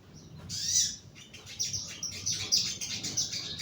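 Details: Caged young bulbul in a lower cage during song therapy, delivering a fast run of high, shrill chirps and twittered notes packed closely for about three seconds, with faint low background rumble.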